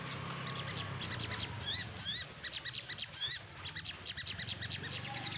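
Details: Little spiderhunter in lively rival-seeking song, a continuous stream of sharp high chips mixed with quick upward-swept notes, delivered in fast uneven runs over a steady low hum.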